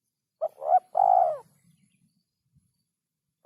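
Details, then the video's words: Spotted dove call, used for training songbirds: a short husky note, a rising coo and a long drawn falling coo near 700, over a quiet background with a soft low rumble. "masteran burung terkukur"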